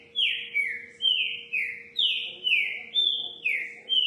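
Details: Trinca-ferro (green-winged saltator) of the note-repeating song style delivering eight rich, clear whistles in four seconds, each a short downward slur, pitch stepping up and down between notes; low steady hum in the background.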